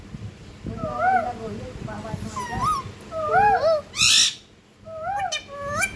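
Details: Talking pet ringneck parakeet producing a run of quick, harmonic, speech-like syllables with bending rising and falling pitch, interrupted near the end by a brief loud hissing burst, then a few softer repeated syllables.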